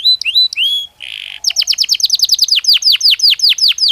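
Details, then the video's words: Belgian canary in song, meant to encourage canaries to sing: a few sliding whistles, a brief buzzy note, then a long series of quick downward-sweeping chips. "Canario Belga Cantando Naturalmente"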